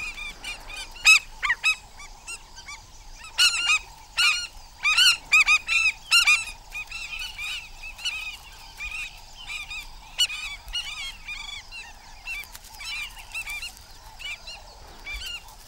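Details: Parent African skimmers giving alarm calls to protect chicks only a few days old from a monitor lizard; loud clusters of harsh, nasal yelping barks in busy bursts, then quieter, more spaced calls toward the end.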